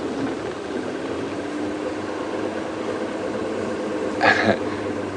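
A steady vehicle engine hum with a brief clatter near the end; no animal voice stands out.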